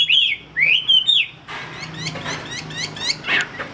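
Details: Singing Chinese hwamei in Vietnam gives a few loud, clear rising whistles, followed by a softer run of rapid, chattering and twittering notes.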